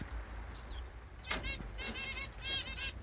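Senegal white-eyes give thin, high, tinny notes and short buzzy trills, with a whirr of wingbeats midway and a faint low outdoor rumble.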